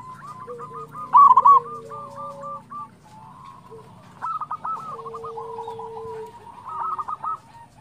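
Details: Lively local zebra doves in song, used to lure other doves into singing: rapid chains of short cooing notes from several overlapping birds, a loud burst early on and a long low steady note midway.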